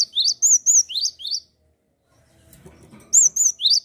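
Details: Java sparrow in vigorous song, used to stimulate untrained or silent birds: a fast run of high chiming arched notes and rising chirps, a short pause with low rustling, then the sequence starts again.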